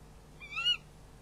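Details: Single barn owl call at a camera-watched nest during a prey handover at night: one short, slightly rising harmonic screech of under half a second, over a steady low electrical hum.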